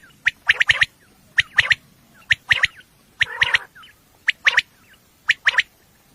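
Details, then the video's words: Common quail at night, a recording used for hunting: sharp clipped notes at a high pitch, in groups of one then two, repeated about once a second, with one harsh wheezy burst midway. "Batair ki awaz night batair sounds for hunting بیٹر کی آواز"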